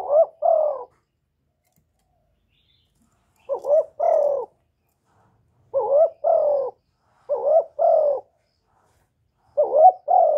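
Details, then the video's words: Captive spotted dove used as a lure bird, calling and cooing to stir newly kept doves into calling, recorded close without background noise: five mellow two-note coo phrases, a short note then a longer falling one, separated by pauses of one to three seconds. "Tiếng Chim Cu Gáy Hạp Bổi Gáy Gọi + Thúc+Gù kích bổi mau nổi"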